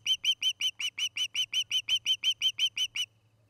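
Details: An osprey at the Charlo, Montana nest, late August 2018 evening, utters a fast even series of shrill chirped whistles, about three each second, that stops abruptly after three seconds, leaving a faint background hum.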